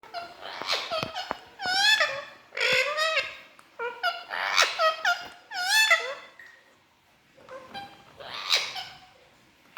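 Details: Pet Indian ringneck parrot indoors, talking non-stop to its reflection in a mirror: a rapid run of nasal, harmonic, speech-like phrases with falling and rising inflections in several bursts, and a brief quiet gap before a final phrase.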